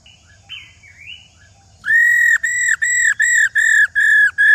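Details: Female laughingthrush, old and wild-caught, giving the rò call used to stir males into song: quiet wavering whistles, then six or seven loud, level whistled notes repeated rapidly and evenly.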